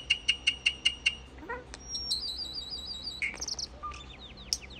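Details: Common starling song slowed down: six sharp, evenly spaced clicks, then a rising slur, a high wavering whistle, a buzzy rattle and a run of quick falling whistled notes.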